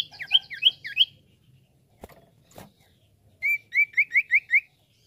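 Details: Common iora song as lure playback: three looping whistled phrases, two sharp clicks, then five clear, evenly spaced rising-and-falling whistles.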